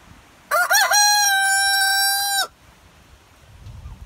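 An Easter Egger rooster gives one full crow: a few quick wavering opening notes, then a long, steady, brassy note held for about a second and a half.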